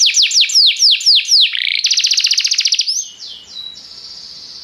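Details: Restless canary: a run of loud downslurred whistles, a buzzy rattling trill, then a soft, steady high whistle that fades into faint background noise.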